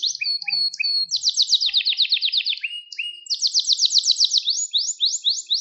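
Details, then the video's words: Canary song recorded for training young canaries and stimulating them: fast trills of repeated high notes, shifting between rapid rattling runs and slower sweeping notes, clean with no other sounds. "Kuşunuzun Eğitimi İçin Orjinal Kanarya Sesi 2021 Kanarya Kızıştırma Kanarya Ötüşü"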